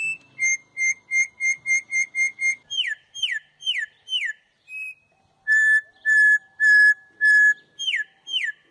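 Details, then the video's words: Campo troupial, Brazil, in whistled song style: a fast string of about ten short identical whistles, several downslurred notes, then long level whistles. "Cantos De "Corrupião" MAIS BONITOS e MELHORES"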